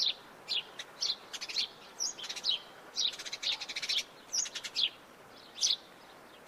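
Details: House sparrow giving bright, short chirps in loose bursts, some single and some in quick stuttering clusters, roughly two a second over a quiet background.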